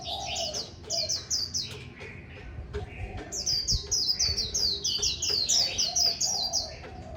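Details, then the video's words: High, tinkling song of a Japanese white-eye, a long, rapid series of short downslurred notes forming a continuous warble, with low rumbling noise and faint clicks underneath. "Khuyên Líu Bệt"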